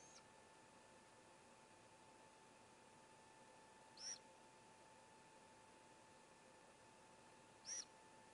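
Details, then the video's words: Great gray owl owlet in a nest of four as the youngest swallows a whole vole; two brief high hissing screeches about three and a half seconds apart against a quiet background with steady hum. "Great Gray Owl - 3 Cheers Youngest Swallow Whole Vole"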